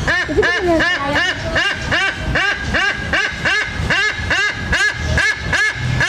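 A white-bellied sea eagle repeats loud, nasal, honking notes, about two or three each second, calling for food over a low background rumble.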